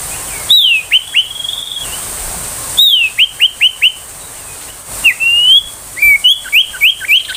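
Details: Ashy tailorbird singing the 'tembakan' song used for tutoring magpie-robins and young tailorbirds: short phrases of a high falling whistle followed by three or four clipped chips, several phrases in succession over a hissy background.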